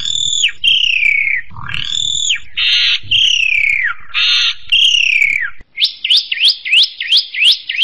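An Oriental magpie-robin sings loud, rich whistled phrases sliding down in pitch, broken by harsh buzzy notes, then a quick run of sharp rising chips.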